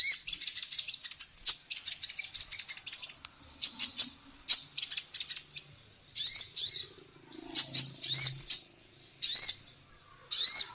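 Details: Female sunbird in full song for songbird training: an opening run of fast, dense twittering notes, then spaced, sharp, high arched chirps given singly or in doubles, with a faint low hum in the background.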